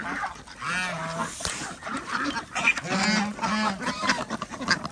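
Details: Village farm ducks in Andhra Pradesh at feeding time: scattered nasal quacks and honks from several birds, some low and drawn-out, others shorter and higher, with a brief knock of handling noise.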